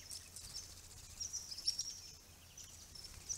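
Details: Rare swift parrots visiting a pond in March 2022, caught on a property camera among naturally regenerated grey box trees just starting to flower. Brief, thin, very high chips come in irregular clusters over a steady high-pitched hiss.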